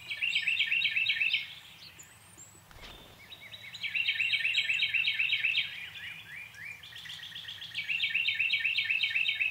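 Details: Chestnut-tailed starling filmed in a backyard gives bursts of rapid, high, chattering chirps, each run lasting a second or two, with brief pauses and overlapping thinner notes above.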